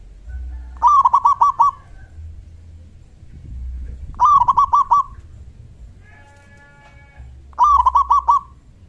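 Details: Local zebra dove giving its big 'kung' voice as a lure for other doves to reply. Three evenly spaced phrases of a rising note plus a fast burst of hollow coos; a faint, thin tonal sound briefly between the second and third.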